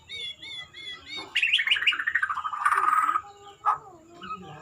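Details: Murai, the white-rumped shama, in gaya sujud style: a pair of wavering whistles opens, then a loud rapid run of descending notes and a rich warbling burst, ending with scattered softer whistles.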